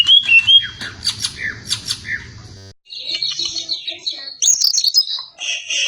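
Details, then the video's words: Greater green leafbird singing a tight, magpie-robin-style song, recorded to train other songbirds: clear whistles and scratchy chirps, a brief cut, then high, squeaky twittering phrases. "Burung Cucak Ijo Gacor Suara rapet - cucak hijau Gacor rasa kacer"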